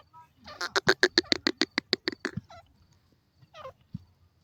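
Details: Calling grey francolin, the Indian teetar, producing a rapid, even series of rasping, ringing pulses that speeds through a dozen notes and then trails off, followed by a softer rough note over faint low background rumble.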